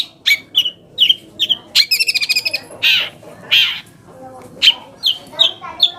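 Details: Long-tailed shrike lure song to set other shrikes calling: spaced squeaky whistled chirps, a fast stuttering trill of clicking notes, then broad harsh rasps and more short chirps.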